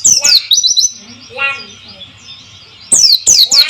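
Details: Short white-eye lure song for coaxing quiet birds into singing: a quick cluster of thin, high, falling notes, a brief gap over running water, then more sharp twittering sweeps.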